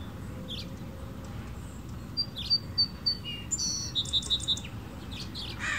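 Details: Hummingbirds feeding on nectar at a backyard feeder; one gives thin, high chips in quick runs of three or four, twice, over a steady low background rumble.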